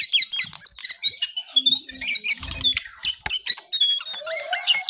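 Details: Brown songlark singing actively very early in the morning: dense bursts of high, scratchy chirps and quick twittering notes, with sharp clicks and a brief low hum in the background.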